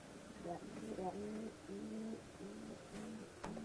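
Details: Pigeon cooing outdoors, recorded 8 December 2016: low, soft coos in short repeated phrases, each a pair of steady tones with gaps between bursts, faint background noise throughout.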